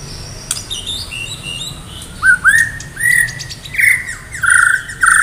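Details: White-rumped shama from Medan in full song, ready for a singing contest, full of mimicked fill-in phrases: short clear whistled notes sliding upward, then loud, ringing, slightly rising whistles repeated roughly every half second, with thin high chips between them.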